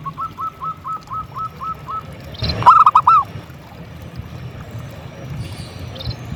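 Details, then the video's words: Local zebra dove singing persistently: a run of short, evenly spaced soft notes for two seconds, then a loud rolling trilled coo phrase after a brief burst of noise. Faint high chirping sounds behind it. "Suara Perkutut Gacor"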